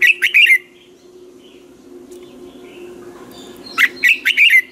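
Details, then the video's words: Red-whiskered bulbul, a caged lure bird, in morning training song: a quick phrase of bright warbled chirps, a long hum-filled gap, then the phrase repeated with added notes. "Chào mào hót ché luyện giọng quá hay 2020, luyện chào mào hót sáng"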